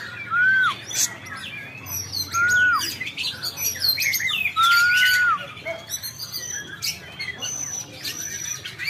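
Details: Oriental magpie-robin in a mood to challenge an opponent, giving slurred whistles that rise then fall, followed by varied warbling and chirping phrases, with busy high twitters around it.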